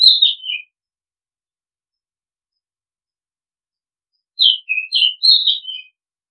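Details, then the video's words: Oriental magpie-robin singing in a long-play recording of calling and decoy-bird sound: a short burst of clear whistled notes falling from high to lower pitch, then a pause of nearly four seconds and a longer phrase of varied whistles. "Oriental Magpie Robin Sound Long play เสียงร้อง นกกางเขนบ้าน"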